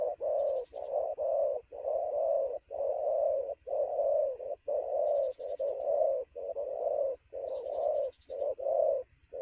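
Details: Spotted dove, wild-caught and very lively at noon, giving rapid cooing: a steady stream of loud, low, hollow coos in quick succession, nearly continuous, with brief high buzzy chirps in the background and low hum.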